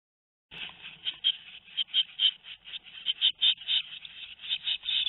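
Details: Tit nestlings two weeks old in a nest, recorded 13 May 2019 in Théding, France; continuous hoarse, raspy begging calls in rapid overlapping pulses from several chicks.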